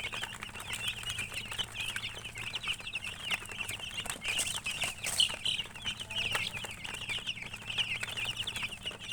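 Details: Young chicks in a group chirping nonstop, bright high peeps running together in a busy stream, with some sharper clicks and rustles and a low background hum.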